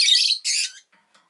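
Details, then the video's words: Two loud, rasping, high-pitched squawks from a rosy-faced lovebird, each lasting under half a second, back to back, followed by faint quiet notes. "Lovebird Chirping Sounds"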